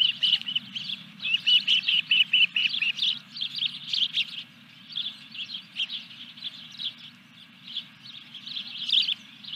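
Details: Osprey at its Dunrovin Ranch nest during the third fish delivery of 14 July 2021: a fast, insistent run of high chirps, about two a second, easing into quieter chirping. Low hum throughout.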